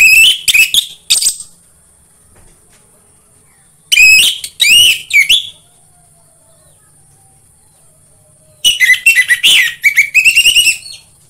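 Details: Orange-headed thrush song used to stimulate other birds to sing: three bursts of rich, loud whistled phrases with rapid rising and falling notes, separated by pauses of a few seconds, with a steady faint high hiss between phrases.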